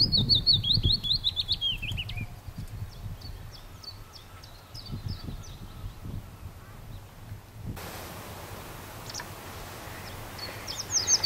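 Willow warbler singing a soft, high phrase of quick notes that slides gently downward, with fainter notes after and a new phrase starting at the end; low rumble underneath.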